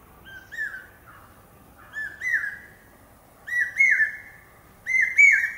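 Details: Common hawk-cuckoo, also called brain fever bird, calling pi-peeah: four shrill whistled two-part phrases roughly every 1.4 seconds, each rising slightly and growing louder through the series, against a quiet background.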